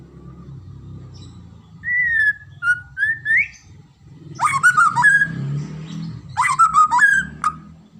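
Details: White-rumped shama (murai batu) singing: loud, clear whistled phrases that slide up and down, delivered in three bursts separated by short pauses, with sharp clicky notes mixed into the later phrases and a low hum in the background.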